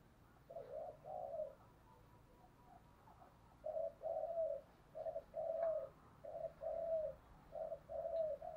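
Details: Spotted dove cooing in the early morning to lure wild doves: soft, low hollow coo notes in paired bursts, repeated over several seconds with short pauses, faint low hum beneath.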